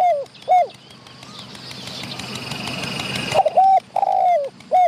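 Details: A wild spotted dove calls near a decoy while chasing other wild doves. Short, hollow coos open the recording, then a burst of rustling noise, and a renewed run of three clipped coos.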